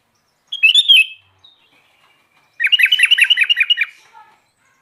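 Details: Sooty-headed bulbul singing energetically, opening with a short warbled phrase, then after a gap a fast rattling series of chattering notes, and a few soft trailing notes at the end.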